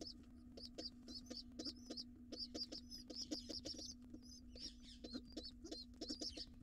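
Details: Wild pigeon chick joining its father at breakfast in a nest box; bursts of high squeaky chirps come in short clusters separated by brief pauses, with dull low knocks and a steady low hum beneath.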